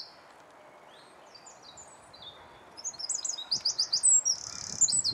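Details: Eurasian wren singing in Alkmaar, Holland: faint high scattered notes give way after about three seconds to a loud, very rapid series of shrill, piercing trilled notes that rise and fall steadily.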